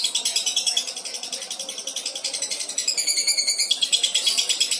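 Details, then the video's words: Albino lovebird in a singing contest holding a long ngekek trill: shrill, buzzy pulsed chatter continuing without break, with a brief clearer tonal flourish near the end of the run. "CALON JUARA LOVEBIRD ALBINO REAL DURASI NGEKEK PANJANG"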